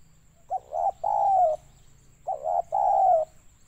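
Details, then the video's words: Spotted dove (tekukur), local bird, giving its mellow cooing phrase twice: a short note then two longer smooth hooting coos, repeated about every two seconds. "tekukur target suara banggo sayur"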